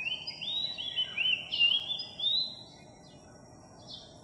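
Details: A Philippine magpie-robin, one of a skittish flock newly arrived in a village, sings a run of sweet, slurred whistles rising and falling for about two seconds, then a few thin, high notes over quiet hiss; July 3, 2021.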